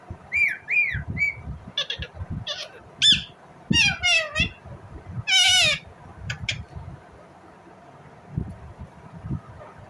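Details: Indian ringneck parrot chirping: a run of harsh, harmonic squawks and rising-falling chirps in quick bursts over about seven seconds, with soft knocks and low background noise between calls.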